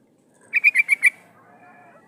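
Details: A female sooty-headed bulbul calls a male, a decoy sound for catching wild bulbuls: a quick run of five bright chattering notes, then near quiet.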